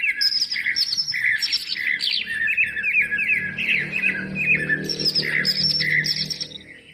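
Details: Greater green leafbird song used as a lure to coax reluctant birds into singing: a dense, continuous run of varied chattering, squeaky and whistled notes with rapid slurs, steady throughout, a faint low hum beneath.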